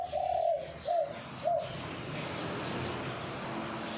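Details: Perkutut Bangkok, a zebra dove, cooing in the "kuk 2x" style: one drawn-out trilled coo then two quick shorter coos, mid-pitched and rolling, followed by steady broadband hiss.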